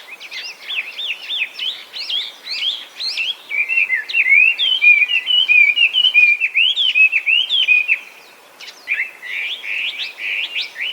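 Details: Chinese hwamei, an invasive alien species gone wild across Japan after escaping or being released from captivity, singing loudly: rapid varied whistled phrases, rising and falling slurs repeated quickly, a brief pause near eight seconds, then more whistles.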